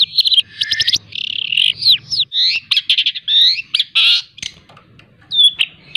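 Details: Long-tailed shrike kept as a hand-fed pet and tutored with mp3 songs delivers a packed 'full isian' medley of buzzy rasps, rolling warbles and high whistles, easing into a few spaced notes at the end.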